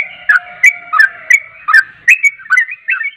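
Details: Short burst of yellow-vented bulbul song played to draw replies from other birds: spaced bubbly, slurred notes roughly every third of a second, with a low steady tone beneath.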